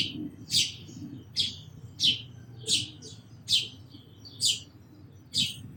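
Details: Sparrow chirping steadily, eight sharp high notes in under six seconds, each a brief burst with a softer tail, over a quiet low background.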